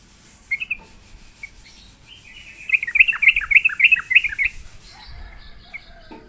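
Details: Sooty-headed bulbul singing in reply to a lure: a burst of bubbly, liquid whistled notes, rapidly repeated for about two seconds midway through, preceded by a few isolated chirps; quiet background.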